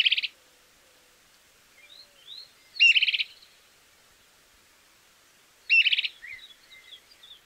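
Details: Stripe-necked tody-tyrant in Argentina giving short, dry, sputtering bursts about every three seconds, each followed by faint thin whistled notes, in an otherwise quiet setting.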